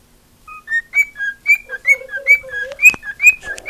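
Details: Singing female cockatiel, a house pet: starting from silence, clear whistles build into a quick alternating high-low pattern, joined midway by a lower steady murmuring tone and a sharp click.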